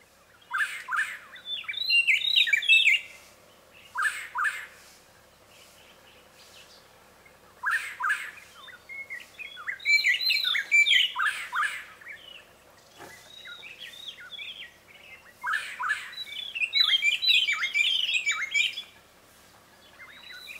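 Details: Black-headed gonolek in savanna woodland in Uganda gives loud bursts of harsh, ringing notes mixed with clear whistles, repeated every few seconds.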